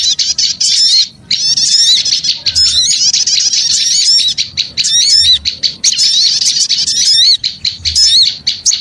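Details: Noisy small-bird lure sound: continuous shrill chirps and zigzag trills from many birds, with one clear gap early on, then steady overlapping chatter.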